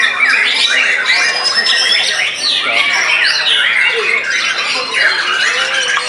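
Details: Post-moult captive white-rumped shama in full, frantic song, beating a rival bird. Varied phrases of rising and falling whistles mixed with buzzy chatter, with a few lower slurred notes.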